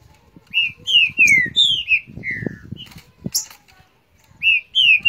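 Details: Green-winged saltator (Saltator similis) in Rio de Janeiro countersinging against a neighbouring bird: loud, clear whistled phrases that slur downward, several in quick succession, with soft low thumps and rustles underneath.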